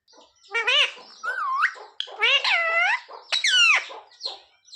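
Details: Pet parrot speaking words indoors, asking for roti: almost continuous chain of loud harmonic syllables with rising and falling whistled arcs and breathy gaps across nearly five seconds.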